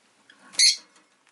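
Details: A single loud, harsh, high-pitched chirp from a pet rosy-faced lovebird, preceded by a couple of soft faint notes, in an otherwise quiet setting.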